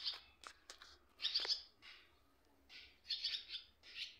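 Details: Young swallows in the nest with adults around: a jumble of buzzy, hoarse high chirps in uneven groups, with a few sharp clicks near the start.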